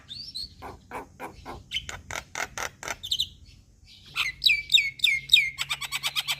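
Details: Starling lure calls used to make birds respond: a run of harsh, buzzy bursts about three per second, then a burst of loud whistled, down-slurred notes and a rapid chattering series.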